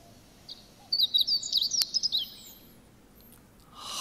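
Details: Meadow Bunting (hoojiro) singing, a bird found close to people: one quick phrase of about ten thin, high, sweet notes in just over a second, then silence and a faint rustle; song rendered 'Sapporo ramen, miso ramen'.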